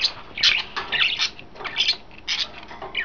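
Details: Three pet budgerigars in a new cage chirp and warble in quick, scratchy bursts, high and slightly grating, several short phrases overlapping in a small room, on 26 May 2012, before a cat later startles them.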